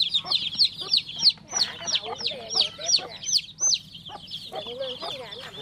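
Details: A newly hatched chick peeps in piercing bursts of high notes, some with short gaps between them. Fainter, lower warbling chirps can be heard in the background.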